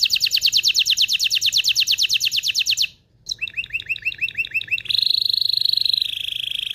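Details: Canary in excited mating-stimulation song: a fast, even trill, a brief pause, varied quick chirps, then a sustained smooth roll.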